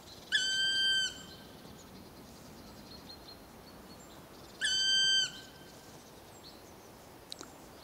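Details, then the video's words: A black woodpecker answers a person's imitated call with two long, plaintive, ringing notes about four seconds apart, each steady and nearly a second long, over quiet forest background. "Black woodpecker calling back / Palokärki vastaa"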